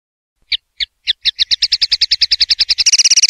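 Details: Linnet song of the Spanish 'pardillo limpio' type, 2025/2026 CD for silvestrismo: a few slow, separate notes quicken into a steady rapid trill, ending in an even faster, higher buzzing rattle.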